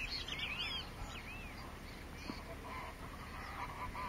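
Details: White-rumped sandpiper (Calidris fuscicollis) at Porto Jofre, Pantanal, Brazil, 25 September 2013, giving a few thin, high, squeaky notes early on, over steady low rumble with fainter lower calls from other birds.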